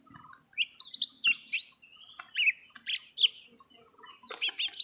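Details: Young lesser green leafbird in a prolonged rival fight, round one: bright whistled notes and sharp high chirps, some rising and some falling, delivered in quick irregular bursts.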